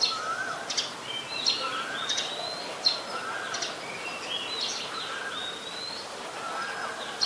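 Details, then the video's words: White-vented myna, Ubon Ratchathani, Thailand, December 2020: repeated mixed calls, with harsh high chirps alternating with lower, slurred whistled notes roughly every second, fairly loud over light background noise. "นกเอี้ยงหงอน หรือนกเอี้ยงดำ (White-vented Myna)"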